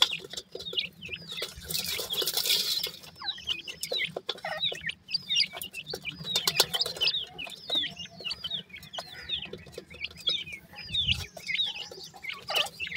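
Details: Young grey francolins keep up a steady stream of sweet, high whistled peeps, each a brief curved note repeated several times a second, with occasional rustling and a louder noisy burst near the start.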